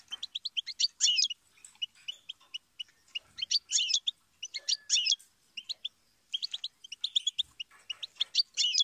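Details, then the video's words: A goldfinch pours out continuous high, liquid twittering in bursts, each phrase rising to a harsh, buzzy climax before a brief gap. "Motivational Goldfinch Serenade"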